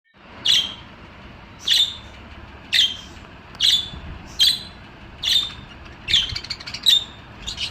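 A budgerigar gives short, bright chirps, repeated roughly once a second.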